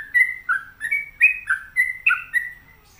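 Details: Sooty-headed bulbul (trucuk) singing energetically: a run of short, clear whistled notes alternating between lower and higher pitches, delivered roughly every quarter second with bubbly, slightly slurred phrasing.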